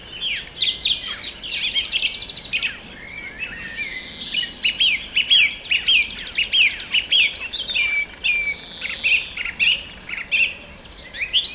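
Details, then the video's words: A song thrush sings at Pulborough Brooks in June 2017, a steady stream of bright, high whistled and chattering phrases, busy and varied, with other birdsong possibly mixed in. "Song thrush Birdsong"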